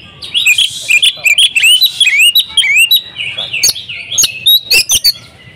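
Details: Female Oriental magpie-robin calling a male; quick upslurred whistles in a busy run, then scattered sharp clicks and chirps toward the end.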